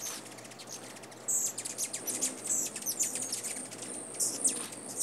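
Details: Rufous Hummingbird filmed in North America giving rapid, very high, thin chips and ticks in quick bursts, with a few sharp squeaky notes; the background is otherwise quiet.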